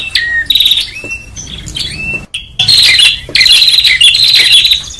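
A prinia chatters loudly in high, sharp chirps and buzzy trills, about one and a half bursts a second in an uneven rhythm, with a brief pause midway.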